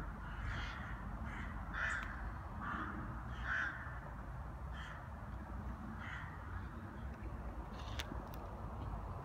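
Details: In winter in Brno, Czech Republic, rooks gather to feed on seed poured under a tree, giving harsh, hoarse caws roughly once a second over a steady low rumble of background noise.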